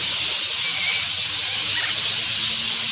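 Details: At dusk in Nowra, NSW, huge numbers of parrots, possibly Rainbow Lorikeets, come in to roost in roadside trees: a dense, unbroken wall of ear-splitting, shrill screeching and chattering, high-pitched and hissy, with no pauses.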